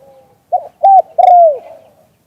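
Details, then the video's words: Single phrase from an auspicious spotted dove singing "liu tan", recorded live: a faint low hum, then a short coo, a flat sustained coo and a long smoothly falling coo. "เสียงนกเขามงคล หลิ่วตัน"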